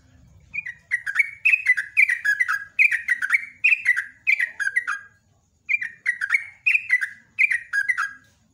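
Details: Morning song of a Sunda pied fantail, known locally as trucuk or jogjog, used to lure other birds: long runs of rapid, sharp descending whistles broken by one brief gap, with faint low rumble at the start.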